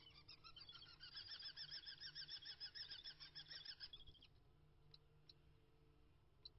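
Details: Common kestrel (Falco tinnunculus) at its nest in late February, where the resident pair guards the site and the male brings voles to the female; a rapid, shrill run of harsh high notes, three or four a second, then soft clicks.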